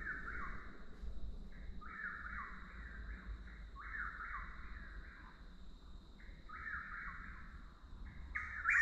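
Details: A Chuck-will's-widow repeats its whistled phrase in a steady series, each one rising, stressed, then sliding down, a little softer here. A constant high hum and low rumble run underneath, and a sharp louder note comes at the very end.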